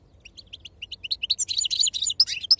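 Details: Wild-type European goldfinch in the Serfati song style, starting with spaced short chip notes that speed up into a dense, tinkling twitter with a few sharp, high squeaky notes at the end.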